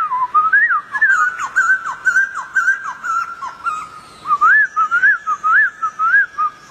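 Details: Wild white-crested laughingthrush delivering rapid clear whistles: choppy falling notes at first, then looping rising slurs at an even pace, with faint high ticking behind.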